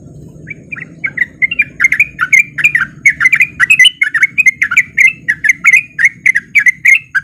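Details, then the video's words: Lure recording of a male sooty-headed bulbul singing in 'ropel' style to coax lazy bulbuls into singing: the song builds from scattered chirps into a long, tightly packed, chattering warble with a soft low hum underneath. "Pancingan Trucuk Gacor Biar Trucuk yang Malas Bunyi jadi Ikutan Bunyi"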